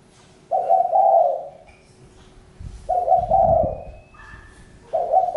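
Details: Low, hoarse coos from a spotted dove, three phrases in about five seconds, each a short lead-in running into a fuller rolling coo; a soft thump and a thin high whistle are heard in the gaps.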